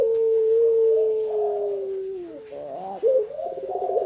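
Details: Tame barbary dove of the long-voiced pelung type, perched outside its cage and calling freely: a long, steady, low coo held for about two seconds, sliding lower, then a wavering, quavering run of rolling coos.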